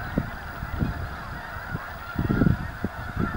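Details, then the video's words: Many snow geese at Anahuac National Wildlife Refuge alongside ducks give repeated low, nasal honks, scattered at first, then a thick overlapping clump mid-way, over a constant droning background. "Snow Geese"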